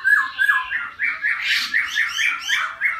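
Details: Laughingthrush singing a fast series of short slurred notes, roughly three per second, rising and falling in a lively chattering rhythm, some slightly harsh and buzzy.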